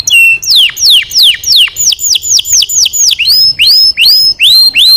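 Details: Canary training song made of loud, clear whistled notes sweeping steeply downward, repeated several times, then shifting to upward-curling whistles repeated at a brisk, regular pace.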